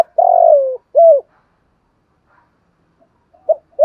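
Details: Spotted dove calling, used to stimulate decoy birds: a long, mellow, gently falling coo, then a short rounded note, a long pause, and the start of the next phrase.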